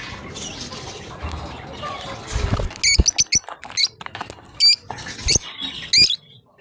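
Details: Lovebird pair at play; after a quiet start with soft rustling, a string of short, bright chirps rings out irregularly, some clipped and rising, over low background noise.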